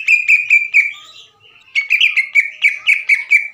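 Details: Greater green leafbird in full song, a training recording meant to stir other birds: a run of clear whistled notes, a short gap, then rapid repeated chattering notes, roughly two per second.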